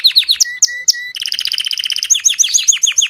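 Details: Belgian king canary singing continuously: a fast, bright song of quick descending chirps, a sustained whistle, then rapid rolling trills of high notes, with no other sounds.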